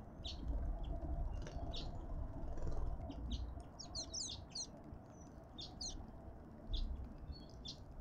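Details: A flock of cut-throat finches at a garden feeder in Pretoria, South Africa, chirping in quick, irregular bursts of high notes, busiest midway, against a low rumbling background.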